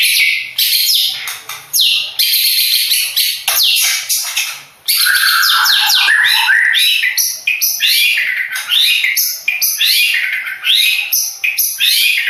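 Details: Long-tailed shrike of the Madura type, kept for song contests, delivering an intense, nearly continuous stream of loud harsh chattering and rapid slurred notes.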